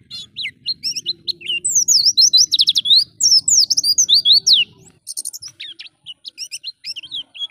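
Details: Lively ngalas-style Oriental white-eye song for tutoring young caged birds: fast, high, thin sweeping notes in tight bursts, briefly pausing near five seconds, then scattered chirps. A low background hum runs beneath.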